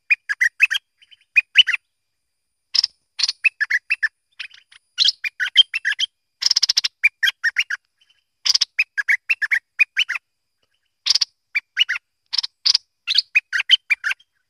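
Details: Bulbul known locally as merbah lekir delivering quick, liquid, chattering phrases in irregular bursts, with a few gaps of one to two seconds between groups; background otherwise quiet.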